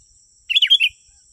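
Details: Sooty-headed bulbul song used as a lure for wild birds: one short phrase of four bubbly, warbled notes around half a second long, with a steady high electronic whine throughout.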